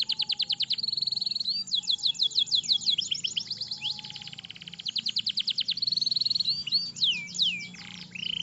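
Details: Caged canary singing actively with a long roll, recorded as a tutor for young canaries learning to sing: fast high trills, repeated chip notes and sweeping whistled phrases, with buzzy rolled passages and no other clear sounds.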